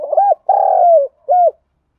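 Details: Spotted dove in 'thúc gù' cooing, recorded for training decoy birds: a short burry coo, then a long steady hollow coo that drops at its end, followed by one brief arched note; background silent.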